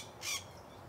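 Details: A single short, harsh squawk from a macaw in the countryside on a farm, rising out of a soft rural background.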